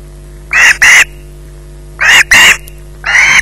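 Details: Osprey in possession of a fish at its Loch Garten nest, 20:33. Harsh screeches come in pairs, two closely spaced calls, a pause, another pair, then a single longer call, with a steady background hum.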